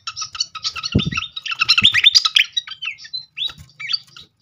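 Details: Lure song of a srikatan flycatcher for provoking birds to sing: busy high twittering and trills, broken by two low thumps, ending in scattered short whistled slurs.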